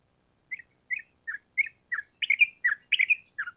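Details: Sooty-headed bulbul, a lively trucukan used as a lure to train caged birds, gives spaced, short chirped notes roughly every half second, growing into paired and tripled bubbly notes toward the end; otherwise quiet.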